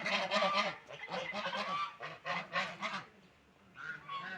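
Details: Ducks feeding and drinking, several short bursts of hoarse, nasal quacking in quick runs, then a quiet gap before a fainter final call.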